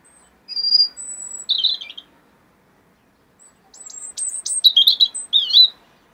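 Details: European robin singing, recorded in 2016: a high, thin drawn-out whistle and a short tumbling phrase, a pause of nearly two seconds, then a rapid jumble of sharp high notes and warbled twiddles in a quiet setting.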